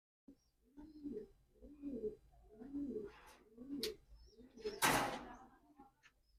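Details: Pigeon cooing in a series of low, throaty, rolling coos, each about a second apart. A sharp broadband clatter breaks in near the end.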